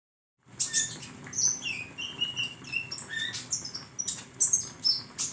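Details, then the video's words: Flowerpecker, a recording used to train songbirds: rapid, thin, high chirps and short twittering notes tumbling over one another for about five seconds. A faint low hum runs underneath. "masteran burung Konin"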